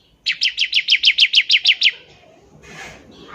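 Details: A single fast run of about eleven evenly spaced, high, sharp chips from a bar-winged prinia doing ngebren, the trill meant to get other prinias singing, followed by soft rustling noise.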